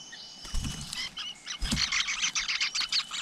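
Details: A flowerpecker at its nest with a brood of chicks, out in nature, gives rapid, thin, high-pitched chips and twitters in a dense run over three seconds, with a few low thumps underneath.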